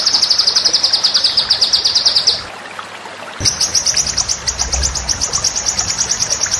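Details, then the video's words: White-rumped shama song for training as a master: long runs of rapid, evenly pulsed high notes, broken by a silent pause of about a second before the trill resumes. "masteran murai batu"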